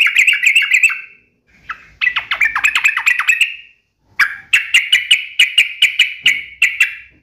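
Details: Yellow-vented bulbul singing lively 'gacor' style with sharp 'ropel' volleys: bursts of fast, bright chattering notes, a short pause, then a long run of evenly spaced sharp chips with no other sounds.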